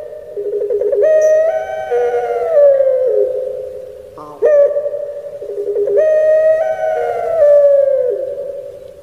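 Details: Puter pelung Barbary dove in captivity in Indonesia, crying-style song: two long mournful coo phrases, each rising then gliding down, split by a short throaty gurgle.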